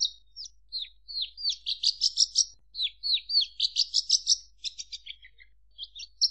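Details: Hurried Javan bush lark song of downslurred chirps building into dense repeated high notes, then tapering into short descending chips.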